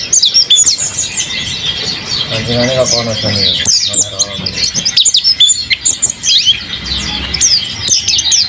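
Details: Owned mountain white-eye in energetic song, giving high rapid twittering and thin downslurred notes, with a person talking softly partway through.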